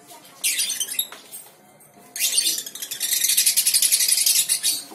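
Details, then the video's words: Young lovebird (balibu) building into ngekek: a harsh chattering burst, a pause, then a sustained rapid buzzy trill of fast pulses lasting several seconds. "TERAPI SUARA LOVE BIRD BALIBU GACOR NGEKEK PANJANG"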